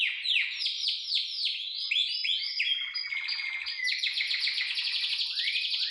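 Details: Canary song used to stimulate other canaries to sing and come into breeding condition: a fast run of repeated downward-sweeping whistled notes, shifting into a dense, rolling trill with high chirps.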